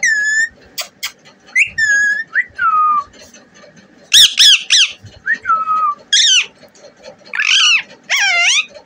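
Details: Indian desi parrot kept indoors as a pet: clear whistled calls, some flat and some swooping, mixed with louder harsh squawks in short bursts, with a person talking softly nearby.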